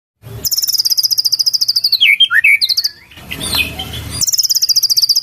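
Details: White-rumped shama singing in isian cililin style: a rapid, very high buzzy trill of about 30 even notes, then a few sweeping whistled slurs, a burst of broadband noise, and the high trill resuming at the end.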